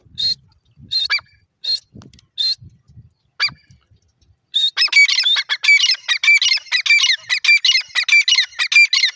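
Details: Grey francolin (teetar) calling: a few scattered harsh notes, then from midway a loud, fast run of ringing, harsh repeated phrases, roughly one and a half per second, that continues to the end.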